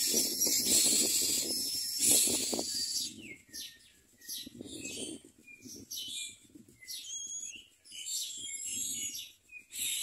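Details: Hungry common myna chicks in their nest hiss harshly at first, then a run of short, high chirping and squeaky notes follows in quick, uneven succession.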